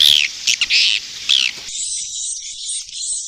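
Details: Swiftlet roosting call meant to draw in swiftlets: a few loud twittering chirps and rising squeaks, then a steady thin high buzzing chatter.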